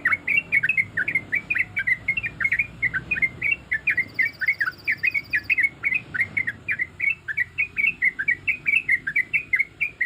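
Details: Sooty-headed bulbul female, in breeding condition, calling to males in a long unbroken series of liquid chirping whistles, dipping and rising, steady pace throughout, low murmur underneath.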